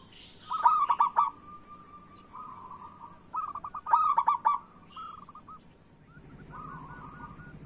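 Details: Zebra dove, local perkutut, singing to lure reluctant doves into song. Two loud bursts of rapid stuttering coos alternate with softer trilled phrases. Faint cooing continues beneath a low rumble at the end.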